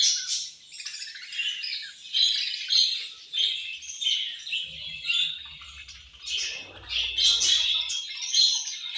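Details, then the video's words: Budgies chirping at feeding time, said to be angry while eating: continuous rasping chatter in rhythmic swells about once a second, with low rustling and thumps near the end. "My Beautiful Budgies Angry Eating And Chirping Sounds"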